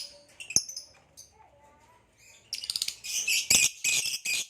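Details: A male green hybrid Nyasa lovebird in captivity, with a purple rump: scattered high chips, then a loud, dense, fast chattering warble of harsh twittering notes.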